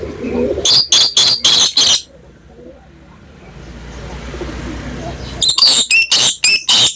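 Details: Black lory calling, recorded as a lure sound to set other lories calling: a run of five harsh, buzzy screeches, a pause with soft background hum, then another rapid series of six grating screeches.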